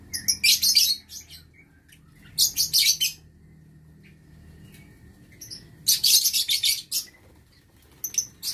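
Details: Lovebirds kept in an aviary on 6 November 2022 give shrill, high chattering bursts of rapid chirps, each lasting under a second, in four clusters separated by quiet gaps.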